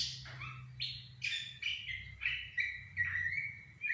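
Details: Goci, the Sumatran laughingthrush, in a lure song meant to make another bird answer: a series of clear, strong whistled notes, each sliding down and then level, repeated roughly every third of a second, over low background hum.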